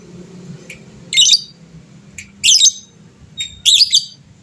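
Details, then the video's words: Lovebird of a fighter type, calling to stir rival birds into answering; short clicks followed by three harsh, buzzy chirping bursts roughly every 1.2 seconds, faint low hum behind. "suara burung lovebird fighter gacor, cepat bikin lawan bunyi bersautan"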